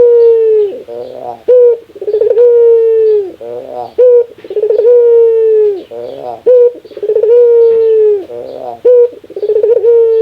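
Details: Barbary dove giving its laughing call, described as a very rare sound: a stuttering burst of rapid notes, then a long, steady coo that sags slightly at the end, repeated in cycles about every two and a half seconds, no other sounds.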